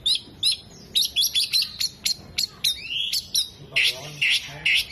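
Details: Oriental magpie-robin in strong song with tail opened, voicing imitated 'kolibri', 'jenggot' and lovebird sounds; evenly spaced high sharp chirps and trills, ending in harsher buzzy notes.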